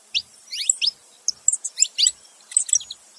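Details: Male and female saffron finch calling together: short clusters of bright high chirps and downslurred notes separated by brief gaps, clean background.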